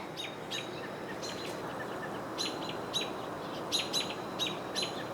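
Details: American robins on the Cornell University campus, Ithaca, New York, on June 22, 2023, give sharp, high, clipped alarm notes in uneven bursts, unhappy that a red-tailed hawk is nearby, over a steady hiss.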